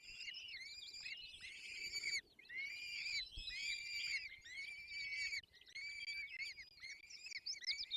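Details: Peregrine falcon chicks at the nest during feeding, Barycz Valley, Poland, 22 April 2024, screaming in loud wailing bouts about a second long, separated by short breaks, several nestlings calling at once.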